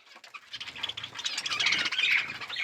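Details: Budgerigars kept with growing chicks make a dense, scratchy wash of high chatter that builds steadily louder, with a few thin squeaky notes rising out of it.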